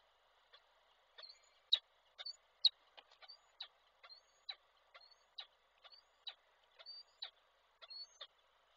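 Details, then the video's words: Male peregrine falcon at Koszalin, Poland, 16 February 2024, bringing a prey gift and calling the female: high, thin, slurred notes mixed with sharp clicks, repeated roughly once a second in uneven bursts, some louder. "samiec z prezentem, Nilę wołał"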